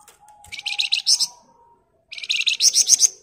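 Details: Flamboyan bird in dense ngebren song used to master other birds: two rapid bursts of high, rattling pulses, each about seven notes, separated by a short pause, over a faint steady tone.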